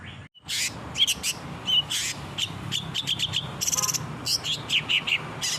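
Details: Song of a long-tailed shrike meant for training caged birds: scratchy broadband bursts mixed with short clear whistled notes, a rapid rattled trill near the middle, then more chattering phrases, with low background rumble.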